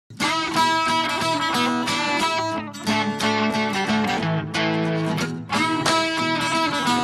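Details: Strummed guitar music plays throughout in rhythmic chords, with no animal sounds audible.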